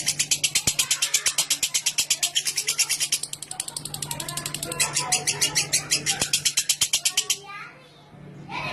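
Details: Lovebird in a long clear chattering song used to spur other lovebirds to sing; fast run of sharp high ticking notes for about seven seconds, then stopping, with a faint low hum throughout.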